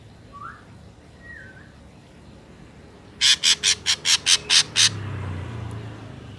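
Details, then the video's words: Ashy drongo song recorded in nature: two faint slurred whistles, then a rapid run of eight harsh, buzzy rasping notes evenly spaced, followed by a low background rumble. "SUARA BURUNG SRIGUNTING ABU ASLI SUARA ALAM"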